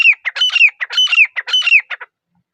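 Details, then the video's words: A grey francolin in a still forest gives loud, piercing, high phrases in quick succession, each a harsh note followed by a sliding whistle, about three cycles in two seconds, then silence. "Teetar Mast Jora |غراي فرانكلِن | ग्रे फ्रैंकलिन | Grey Franklin"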